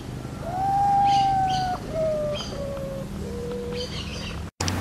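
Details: Potoo, known as urutau, singing its midnight song: a sad series of clear whistles, each lower than the one before, sliding down step by step over a low, steady background hum.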